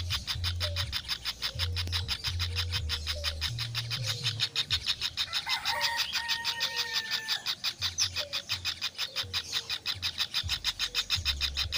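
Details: Kingfisher chicks call in a long, rapid, even stream of rasping ticks. Short whistled notes from other birds and a low pulsing hum run through the background.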